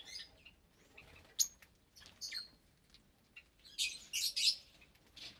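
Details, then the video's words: Around 25 caged lovebirds, parblue, euwing, opaline, lutino and albino, gathered at meal time; piercing high chirps scattered through, rising to a cluster of loud, harsh, shrill calls near the end. "Lovebird Meal Time"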